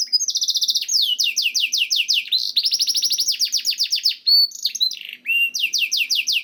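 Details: Canary song intended to stimulate canaries: a fast buzzy trill opening into series of rapid downward-sweeping whistles and rolling phrases, with a brief low swoop near the end.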